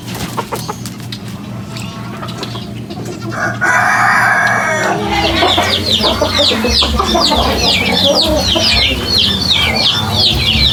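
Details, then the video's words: Weird chicken noises: low clucking at first, then a burst of harsh noise, followed by a fast run of high, thin, downslurred chirps repeated about three times a second over a low rumble. "Weird Chicken Noises"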